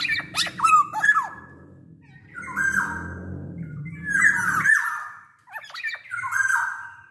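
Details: Lure recording of a big-bodied black-naped oriole singing actively: four bursts of sharp, slurred whistles and raspy notes, a low rumbling noise underneath the middle phrases.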